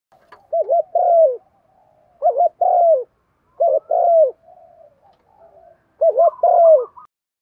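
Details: Spotted dove coos used to stimulate other doves into cooing; four low phrases of a quick wavering double note and a longer falling coo, with soft murmuring notes between them and a slightly higher faint note over the last phrase.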